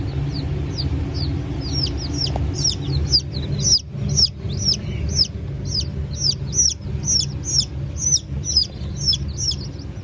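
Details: Newly hatched Brahma chicks, in a batch with Modled and Wyandotte chicks, hatched 1 May 2024. Rapid high peeps that slide downward repeat about twice a second, with brief gaps, over a steady low mechanical hum.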